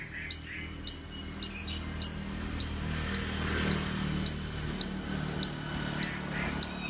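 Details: Horsfield's bush lark, champion singer, repeating a crisp, high whistled note with a quick downward flick about every half second. The series is steady and even over a faint low hum.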